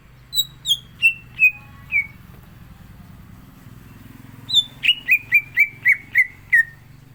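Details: Green leafbird, a captive songbird in lively song, gives a run of five falling whistled notes. After a pause comes a faster series of about eight sharp, down-slurred whistles.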